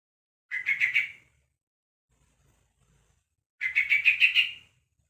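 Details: A young yellow-vented bulbul, one month old, calls to others of its kind. Two brief stuttering, chattery bursts about three seconds apart, the second longer and more pulsed. Near-silent surroundings.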